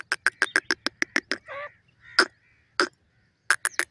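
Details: Black francolin kept at home, giving a fast train of sharp, even clucking notes, then a brief buzzy slur, single spaced notes, and another quick burst at the end.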